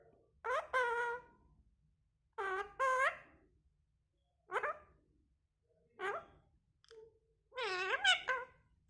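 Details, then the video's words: Talking parrot: five bursts of loud, harmonic, speech-like syllables over nine seconds, some sliding up and down in pitch, separated by short silent gaps. "cute talking parrot"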